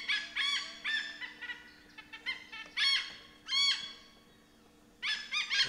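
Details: Forest at Bandhavgarh National Park in central India, where an Indian pied hornbill gives repeated loud, harsh cackling squawks, nasal and rasping, in uneven bursts roughly every second or two, some notes quickly stuttered.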